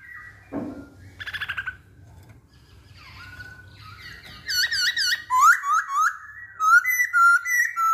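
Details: Masked laughingthrush song used to provoke other birds: faint chatter and a squeak at first, then loud, bouncing whistled notes in quick succession, each swooping up and down, over a low hum.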